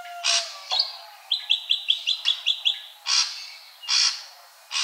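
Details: Ashy drongo song: harsh loud bursts framing a run of about eight evenly spaced ringing chirps, each note short and bright.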